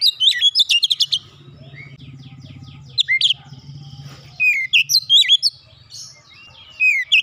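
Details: Rapid-fire 'nembak rapat' singing of the Oriental magpie-robin (kacer), played as therapy for untrained birds: clusters of fast sharp notes and looping whistles, with a buzzy low drone in the middle.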